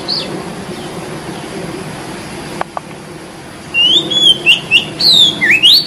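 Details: White-breasted Oriental magpie-robin singing in the wild: after a few seconds of background hiss, a burst of loud clear whistled notes, some sliding up, some falling, in quick succession.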